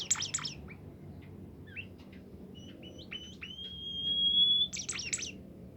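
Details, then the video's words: Bimoli bird singing, said to get others of its kind going: harsh buzzy chattering bursts open and close the passage, with scattered short notes and a long clear rising whistle between them. "burung bimoli lain nya akan ikutan gacor"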